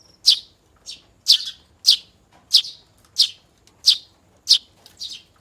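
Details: Young house sparrow begging during hand-feeding while it learns to sing: loud, high, clipped chirps spaced about half a second apart, the last ones coming in quick pairs.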